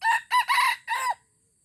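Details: Red junglefowl from Aceh crowing during a first lure test: a loud four-part crow lasting just over a second, with short harsh syllables and a longer drawn-out last note, then quiet.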